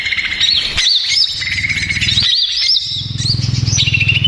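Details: Agitated greater green leafbird lure song: looping high whistled phrases with wavering notes repeated in bursts, over a steady low droning hum.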